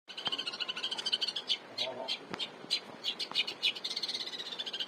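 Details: Long-tailed shrike in full, active song, kept as a master recording for training cage songbirds; rapid bursts of sharp high chirps and trills, about three per second, with a brief low murmur partway through.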